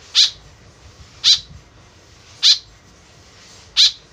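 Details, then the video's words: White-breasted woodswallow calls used as a lure: four short, harsh, buzzy notes centred high, each under a quarter second, spaced about a second apart over a quiet background. "BURUNG KEKEP BABI GACOR SUARA JADI PIKATAN . SUARA BURUNG KEKEP MENDEKAT"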